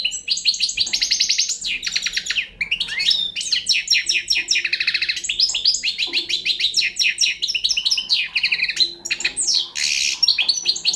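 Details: Long, continuous twittering from a young Balkan European goldfinch, mixing high tinkling notes, buzzy rattles and quick trills with barely a break.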